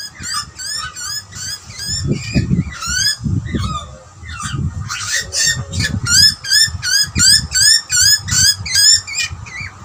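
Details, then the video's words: A young butcherbird and an older bird interact while feeding, trading fast, repeated warbling whistled notes, roughly two or three a second, through most of the stretch. Low thuds and rumble run underneath. "Two Birds chatting to each other during feeding ? Australian Butcherbird"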